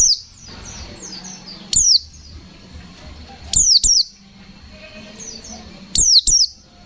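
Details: Pleci (white-eye) giving fighter-style 'ngalas nembak' song: loud paired high whistles that drop steeply in pitch, repeated every two seconds or so, with soft distant twittering between.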